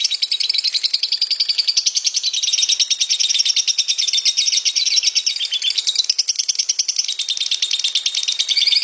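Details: Lovebird giving a long 'ngekek' trill, used as a master recording for training other lovebirds to trill: a continuous, rapid, buzzy chattering trill that runs unbroken for about nine seconds at a steady high pitch.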